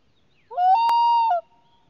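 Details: Common loon yodelling from its nest, caught on a loon preservation camera in 2020; one loud sustained mid-pitched wailing note, sliding up at the start and dipping at the end, about one second long, with a sharp click in the middle and a quiet background.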